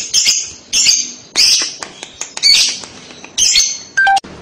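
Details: Lovebird squawking used as a lure for young lovebirds. Harsh, rasping, screechy notes come in uneven bursts roughly every half second to second, ending in a short clear whistle.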